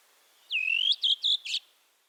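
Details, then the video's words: Redwing singing a short phrase: a drawn-out whistle dropping in pitch then steadying, followed by two clipped repeated notes and a brief buzzy trill, in near silence. "Дрозд белобровик. Красивое пение птиц"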